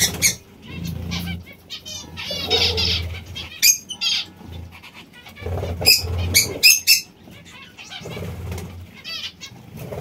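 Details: Zebra finches calling: bursts of short, nasal, honking chirps, some in quick clusters, several birds overlapping, with a low murmur of background sound underneath.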